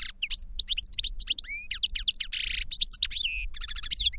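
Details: Goldfinch song: a continuous, fast run of bright twittering notes, clear whistled slides and a harsh buzzy rattle near the middle, ending in quick stuttering trills.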